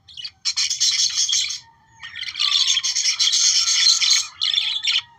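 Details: Budgerigar song meant to stimulate breeding: a rapid, buzzy warble of clicks and squeaks, a short break near the middle, then a longer, denser chattering run with a faint thin whistle underneath.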